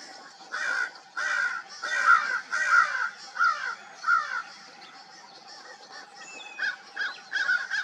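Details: Several crows calling at dawn: a string of harsh, nasal caws about every half second, then a pause and a few more scattered caws, with a faint steady hum behind.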